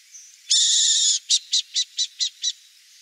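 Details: Wild Brazilian burrowing owl (Athene cunicularia) gives a loud, drawn-out grating rasp of about two-thirds of a second, then six clipped raspy notes in a steady series, with a faint hiss behind.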